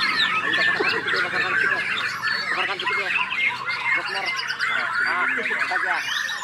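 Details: White-rumped shama (murai batu) showing how it behaves during tutoring play: rich overlapping song of clear whistled notes, quick rising and falling slurs and rattling trills, continuous and loud.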